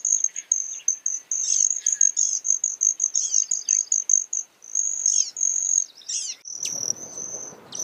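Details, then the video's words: Broad-tailed hummingbird: continuous thin high trill broken into pulses, with twittering chips and buzzy notes; a soft rustling noise near the end. "Broad Tailed Hummingbird Sound"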